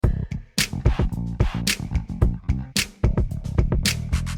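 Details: Funky backing music with punchy drum-machine beats, bass and guitar, and no animal sound.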